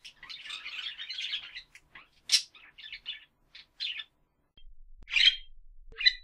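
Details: Budgies chattering: a rapid run of warbled chirps and twitters, then spaced single scratchy notes and a louder squawk, with brief silences between later calls.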